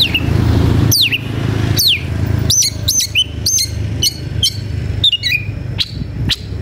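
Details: Combative Oriental magpie-robin singing as it seeks an opponent: bright downward-swooping whistles repeated roughly every second, then quicker high chips and short slurred notes, against constant low-pitched background noise.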